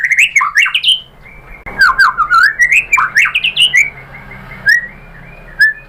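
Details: [5, 'Lure recording of a white-rumped shama singing to provoke a reply; bursts of fluty, wavering whistles and sliding notes, then a long faint level tone and a few isolated whistles.']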